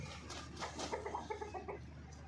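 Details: Hen calling while laying eggs and for mating: a fast run of short, pulsing clucks, roughly eight in under two seconds, each with stacked tones, over a low steady hum.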